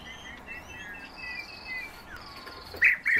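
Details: European bee-eaters give soft trilled, rolling calls that overlap from more than one bird. The calls rise to two louder, rough bursts close together at the end over low background noise.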